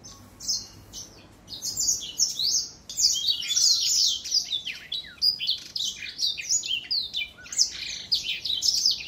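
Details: Older black-throat in song, 2021: a long, continuous flow of bright high chirps, trills and steep sweeping whistles, rich and varied, with only a short quieter stretch near the start.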